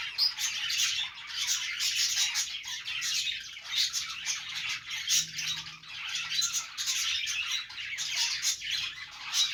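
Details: Pet budgerigars, Australian parrots, chattering happily in the morning; a continuous mass of rapid warbles, chirps and short squawks from several birds overlapping throughout, with slight swells and dips in loudness.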